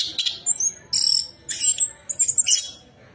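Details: Orange-headed thrush, locally anis kembang, singing a lure song meant to stimulate another bird to sing: four short, bright bursts of high, squeaky, buzzy notes separated by brief pauses.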